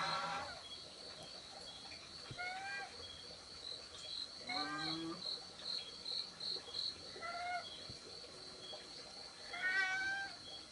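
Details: Young spotted dove giving short, squeaky, rising harmonic calls, four separate bursts spread over about ten seconds, over a steady high cricket drone.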